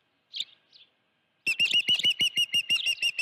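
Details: Osprey at its nest at Dunrovin Ranch with a live fish, 16 June 2019, 3:32 PM. Two soft notes, then a rapid series of sharp, whistled chirps, nearly three per second.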